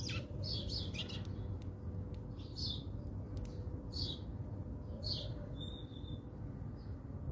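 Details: House sparrows at put-out food in South Africa: an irregular run of quick chirps and tweets, some doubled, mixed with sharp clicking taps, over persistent low background noise.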